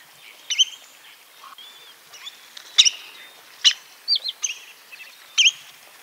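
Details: Spotted redshank giving scattered high whistled calls, with short upswept and wavy notes and sharp ticks spaced irregularly, in a quiet outdoor setting.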